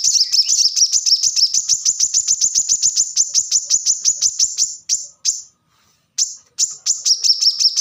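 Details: Kolibri kelapa, the plain-throated sunbird, delivering a fast, tightly packed 'tembakan rapat' trill of high sharp notes for about five seconds, a brief break, then the rapid notes resume.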